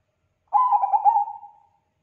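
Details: Bangkok-type zebra dove singing strongly, its song described as drawing replies from other doves; after silence, a soft bubbling series of four or five rapid low coos flows into a drawn-out level tone that slowly dies off.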